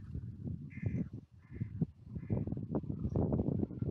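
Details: Wild carrion crows on a clifftop seafront in the UK, gathering to be fed by a familiar person: three hoarse, harsh caws in close succession, partly masked by heavy low wind rumble.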